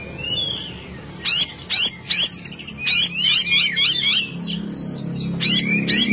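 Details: 'Ngeplong' song of an oriental magpie-robin meant to anger a rival: loud high clicks, then a run of warbling, twisting notes and thin whistles, with a low background hum.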